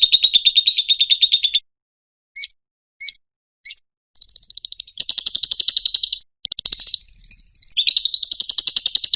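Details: A lovebird's ngekek, for training and luring other lovebirds: a quick trill, then three spaced single chirps, then bursts of rapid rattling chatter separated by short gaps.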